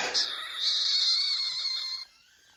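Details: Indoor rosella giving one sustained, high, strained squeal lasting about two seconds, steady and hissy, then stopping abruptly.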